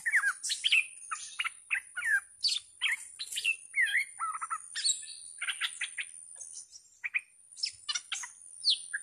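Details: Fierce caged decoy bulbul, recorded 18 July 2021, delivering quick bursts of bright, slurred whistled phrases repeated in rapid succession, each rising and falling, with a steady high hiss behind.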